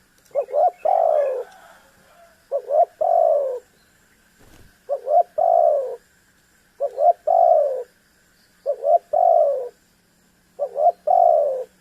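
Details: Spotted dove calling to make a rival bird call back; six evenly spaced phrases about every two seconds, each two short clipped notes leading into a long falling coo, over a steady faint hum.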